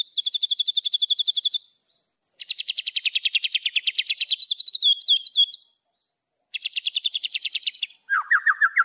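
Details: White-rumped shama master song for training, full of filler phrases: several rapid high trills, one lower and buzzier, a burst of twisting whistled notes, then a lower rattling series at the end.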